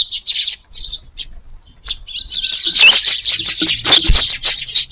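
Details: A crowd of Eurasian tree sparrows flocking down together to a garden feeding spot in the evening, 22 July; scattered chirps swell into a dense, continuous high twittering chorus with faint lower thumps.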